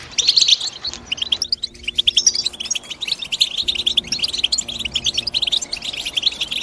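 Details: European goldfinch, female mentioned, morning chirping: dense bright twittering and chirps throughout, rapid high notes in quick series with other birds singing together in the background, steady chatter without pauses.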